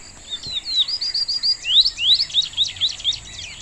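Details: Morelet's seedeater song over steady background hiss: a quick string of thin, high whistled notes, some sweeping upward sharply, repeated at an irregular, lively pace for about three seconds.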